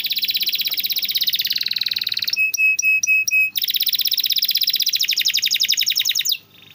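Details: Canary song meant to train canaries: long rapid rolling trills, a short run of sharp metallic repeated notes, then another fast trill ending in a falling note.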